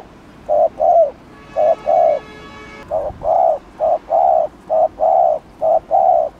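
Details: Provocative cooing of a spotted dove: mellow low coos in short-then-long pairs, briefly interrupted by a buzzy, harmonic tone before the paired coos continue steadily.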